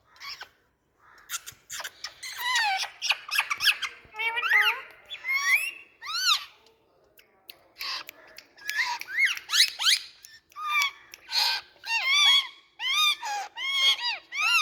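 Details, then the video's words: Rose-ringed parakeet giving a rapid, irregular series of loud, harsh, arched screeches with rich overtones, some overlapping, in bursts of about one per second with short gaps between them. "Indian Parrot Nature🍃 Video Relaxing Noise"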